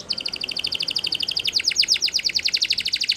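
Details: A yellow canary sings in the morning, repeating even rapid chirps that grow into stronger, broader downward-sweeping notes, with faint background hiss.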